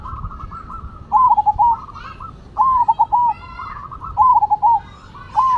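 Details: Zebra doves of the Cemani and Silver varieties singing actively: soft, mellow cooing phrases, each a rising coo followed by rapid rolling notes, repeated about every one and a half seconds with fainter answering coos between.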